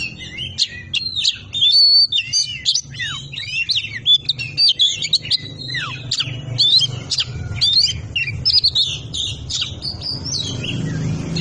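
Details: Oriental magpie-robin, Indonesian kacer song in 'ngobra patah' style for masteran: rapid varied warble of slurred whistles, clicks and buzzy notes, steady low hum underneath growing louder late on.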